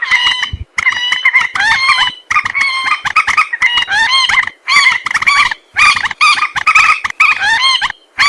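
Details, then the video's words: Common moorhen calls meant as a hunting lure, loud squawks with bending, warbling pitch, repeated in bursts of about a second separated by short silences. "Moorhen bird hunting voice 2024 | Moorhen birds best sound | Jal morgi ki awaz"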